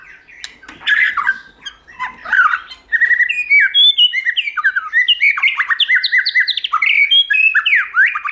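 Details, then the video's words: Multi-voiced song of a white-rumped shama for stimulating and training singing: a scratchy, muddled start, then a long, dense stream of bright whistles, rapid slurred notes and crisp chirps, nearly continuous. "Kích Chòe lửa hót nhiều giọng, Căng lửa, chòe lửa đánh đuôi kích cực nhạy.luyện chòe lửa hót hay"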